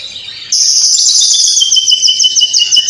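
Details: White-rumped shama from Cililin in full loud song laced with imitations of sparrow, fighting lovebird and kapas tembak: after half a second of quiet, a sustained, intense, high trilled buzz with a thin whistled line running beneath.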